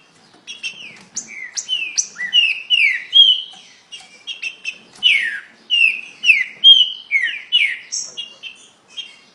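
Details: Rapid green-winged saltator song: strings of ringing whistles, some falling steeply, others rising sharply, tumbling out in quick succession and growing louder toward the end.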